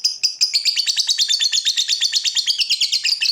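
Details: Lovebird ngekek used as masteran for young birds; a quick, grating chatter of high notes running evenly at several per second, bright and buzzy, continuing through the whole stretch without a pause.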